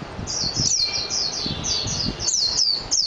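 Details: Continuous high-pitched warble from a Japanese white-eye (mejiro): quick, sweet downward-sliding notes strung together without a break, over faint low background noise.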